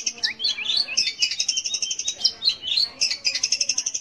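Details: Lure song of a long-tailed shrike for prompting young or silent birds to sing: busy, jumbled high chatter of quick ticks and short rising whistles, delivered fast and irregularly without pause.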